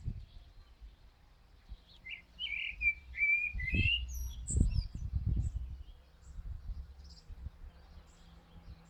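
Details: Common blackbird singing one full phrase, low mellow fluted warbles followed by a high squeaky twittering flourish, then near silence with faint low rumble.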